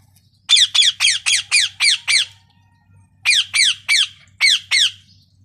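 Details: Parrot calling in a rapid string of about seven harsh, downward-slurred squawks, a pause, then five more, evenly spaced around a quarter-second apart, with a soft low hum beneath.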